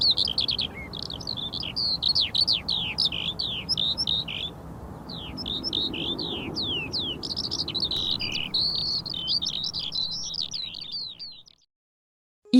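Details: Eurasian Skylark singing: a fast, unbroken stream of high, twittering trills and warbling notes for about eleven seconds, then sudden silence; faint low background rumble throughout.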